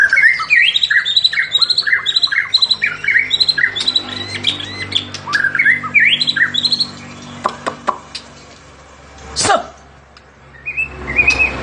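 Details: Caged white-rumped shama in fighter style: fast, rich whistled phrases with rising and falling slurs, repeated in rapid bursts for several seconds, then a loud clatter and a pause before soft notes resume.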